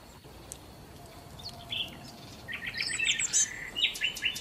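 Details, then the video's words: Sparrows pecking at breakfast leftovers on hotel tables in Marsa Alam, Egypt: a few scattered chirps swell into a busy cluster of overlapping sharp twitters near the end, over a light background hiss. "عصافير🐦︎ تأكل 🔊 صوت الطبيعة روعة"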